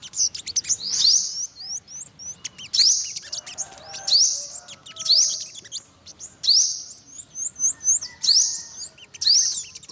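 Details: Olive-backed sunbird repeating short bursts about every second and a half, each a sharp, upward-sweeping high note among thin chips and twitters.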